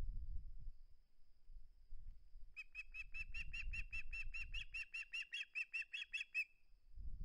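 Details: Osprey at its nest on a live nest camera, 21 August 2020, unwilling to give up a flounder; a fast run of sharp, high whistled chirps, about two or three per second, for some four seconds over low rumbling wind.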